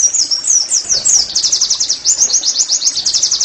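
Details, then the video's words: Oriental white-eye song used as training audio to make caged birds sing readily: a continuous stream of very high, rapid twittering notes, each a quick slurred downward sweep, run together without pause for the whole stretch, with a little faint background noise. "TERAPI NEMBAK PLECI I, Agar Pleci anda cepat GACOR"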